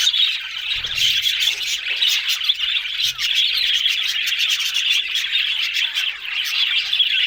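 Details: Talking budgies keep up a steady stream of rapid chirps and twittering warbles, busy and unbroken, with a few faint low thumps near the start.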